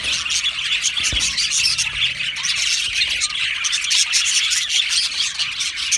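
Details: Aviary colony of Australian budgies singing and chirping, a constant layered chorus of sharp high chirps and scratchy warbles from numerous birds, loud and even for the whole stretch.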